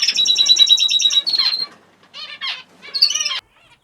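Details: Canaries (Belgian canary) in a Fife canary shed during breeding season give bright, rapid twittering and chirps, with a run of high, even notes at the start, then short bursts of trilled calls.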